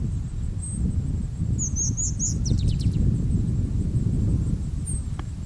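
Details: Striated grasswren, subspecies whitei, at Wittenoon Gorge in the Pilbara, Western Australia, on 9 June 2012: a brief burst of very high, thin squeaky notes, then a quick falling series of sharp ticks, over heavy low rumbling noise.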